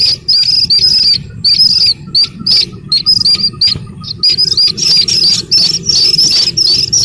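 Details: Slaty-legged crake chick peeping: sharp high squeaky notes in bursts, some doubled, a quieter pause near the middle before the calls resume thick and fast, over a faint low rumble.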